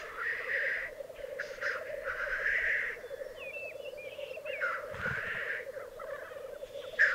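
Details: Displaying black grouse males at a lekking arena in the Piedmont Alps, 2022: long rolling bubbling phrases repeated every couple of seconds, with brief whistled squeaks and a hissing burst, over a steady drone.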